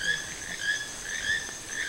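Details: Wild toucan at Sueno Esmeralda giving a steady series of nasal, harmonic-rich notes, each swelling and fading about three times a second with little pause between them, over quiet rural background.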